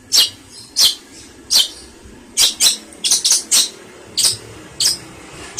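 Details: Long-tailed shrike (pentet, cendet) in a tutor recording for songbirds: short, scratchy, harsh notes spaced unevenly about every half second to a second, with a faint low background hum.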